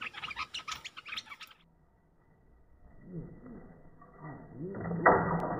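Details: Bulbul luring calls: a quick run of harsh, rattling chirps, about four per second, that stops abruptly, followed by faint low rustling and a loud knock near the end.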